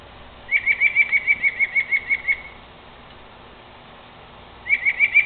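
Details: Northern mockingbird calling from a tree at night, repeating one sharp, high chip note about five times a second in a run of eleven, a pause of two seconds, then a second quick run begins.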